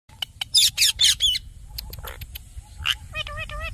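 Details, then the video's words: Parrot vocalising: loud harsh squawks in quick bursts early on, then softer scattered chirps, a short raspy call, and a run of rapid repeated warbling notes at the end, over a low steady background hum. "Mithu babu parrot talking sound"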